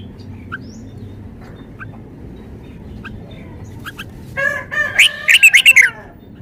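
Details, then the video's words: Red-whiskered bulbul showing off its song: a few faint notes at first, then near the end a loud burst of rich, rapidly repeated whistled notes, about six in quick succession, over low background hum. "นกกรงหัวจุก 599 จ้าวมาดี"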